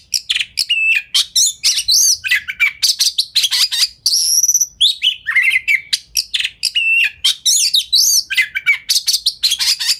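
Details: Oriental magpie-robin in fast, dense lure song, tail spread, meant to make other magpie-robins answer: a rapid stream of sharp chirps, whistled slurs and buzzy trills, with brief pauses and no other sounds.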